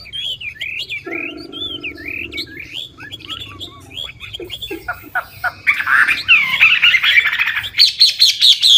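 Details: Chinese hwamei, an old wild-origin decoy bird, sings varied phrases meant to get newly caught birds singing: looping whistled notes with a low steady hum beneath, ending in louder, denser trilled bursts.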